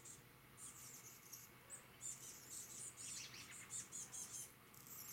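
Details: Chestnut-backed chickadees (Poecile rufescens) on Vancouver Island, Canada, one hanging out with other birds, give thin, very high, slightly buzzy notes in quick clusters while other small birds call softly around them.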